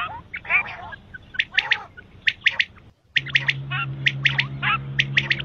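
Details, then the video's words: Quail (batair) chattering, from a set of male and female calls for morning and night: squawky, harmonic notes and clipped chirps in loose bursts, a brief gap near the middle, then a louder steady hum returns. "batair ki awaz subah ke liya batair ki awaz night batair ki awaz male batair ki awaz female quails"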